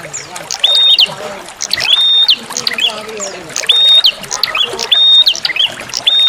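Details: Bar-winged prinia calls used as a lure, mixed with trickling water: bright, flat whistled notes ending in sharp upward flicks, given in quick pairs about every second over a steady hiss of running water.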